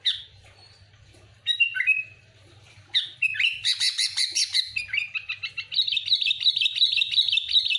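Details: Sooty-headed bulbul singing loudly, a lively lure recording: chattering chirps, buzzy rattles and a steady fast trill of bright notes near the top of the range, delivered almost without pause.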